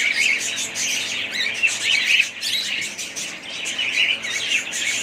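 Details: Budgerigars keep up a lively chatter of warbled chirps and raspy squawks, the chorus rising and falling in short waves.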